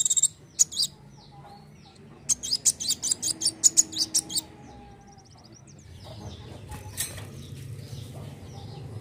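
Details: Dark sunbird singing hard with shooting notes: very high, rapid chirps in bursts, with a long run of about ten sharp notes in quick succession, then a faint low hum and quieter chatter.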